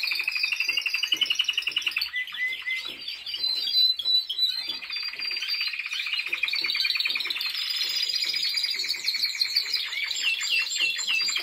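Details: Timbrado Español canary in training, 2023: long unbroken song of rapid rolling trills and repeated clicking notes, changing tempo and pitch across the phrases.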